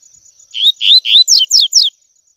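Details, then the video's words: Training song of the tui tui type from a double-collared seedeater: three smooth upward whistles, then three evenly spaced downslurred notes, one loud phrase over a faint steady hiss. "ENCARTE COLEIRO TUI TUI P/TREINAR PARDINHO A CANTAR TUI TUI"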